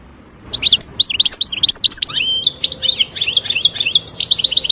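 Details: European goldfinch in woodland, wild. It sings a continuous, lively twittering phrase of quick high chirps, slurred whistles and brief metallic trills that runs for about four seconds without a break.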